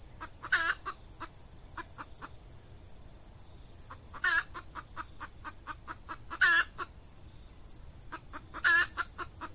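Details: Red junglefowl clucking at a weekend trapping site in peat scrub, with a hen decoy of F1 stock used to attract wild males: runs of quick clucks punctuated by four loud rasping bursts about every two seconds, over a high insect hum.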